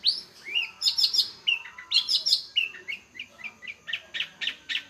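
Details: Long-tailed shrike singing a varied, jumbled phrase of high chirps, lower slurred whistles and scratchy notes, with a faint background hiss.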